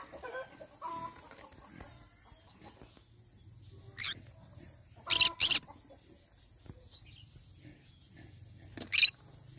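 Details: Yellow-sided conure in the morning, soft warbled chatter at first, then a single harsh screech, a quick double screech, and a final raspy squawk several seconds later.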